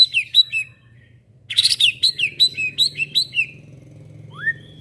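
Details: Young caged white-rumped shama singing loud phrases of sharp down-slurred whistled notes about three per second after a harsh buzzy burst, ending with a soft rising whistle, low hum underneath.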